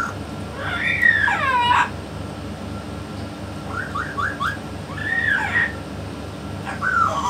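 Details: A talking yellow-naped amazon gives a long, wavering, speech-like phrase, then a quick run of four short rising chirps and more warbled utterances over a steady indoor hum.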